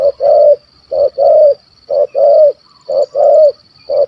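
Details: Spotted dove, a wild Malaysian bird with a big voice that hunters targeted, calling 'kuk 1 2'. Three clear, loud phrases, each a brief coo followed by a longer, gently falling coo, with a steady high hum behind.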